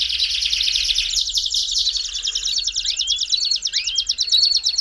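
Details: Belgian canary song to warm up a canary: a bright, continuous buzzy trill, broken near the end by two upward-curving whistled notes.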